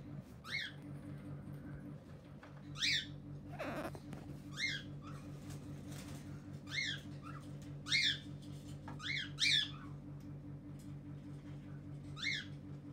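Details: Cockatiels at a breeding aviary in İskenderun, Turkey, give short, harmonic whistled chirps, repeated every second or two over a steady mechanical hum.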